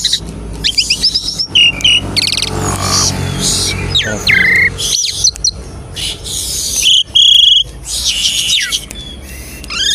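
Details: Asian pied starling song used as a lure to make other starlings start singing quickly: bright whistled notes, harsh broadband bursts and sliding tones in a lively jumble, with a fainter low hum beneath.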